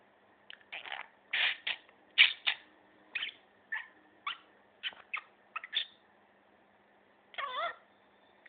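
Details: A one-year-old pet budgerigar chatters in quick, scratchy bursts of warbled and squeaky notes.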